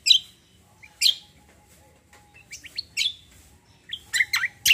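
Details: Cucak singing in combo style: loud, piercing high notes separated by pauses, then short quick whistled phrases and slurred falling notes, a soft low rumble in the background.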